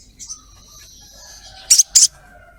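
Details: Female ruby-cheeked sunbird calling to a male: a faint high note, then a quick pair of loud, harsh, very high 'cret cret' chips near the end.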